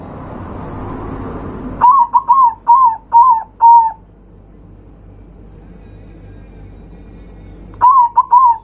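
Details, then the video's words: Zebra dove singing loudly to provoke rival birds: a series of soft rolling coos near one pitch, six notes in about two seconds, a pause, then three more; low background hum at the start. "Perkutut suara kencang, bikin lawan naik emosi"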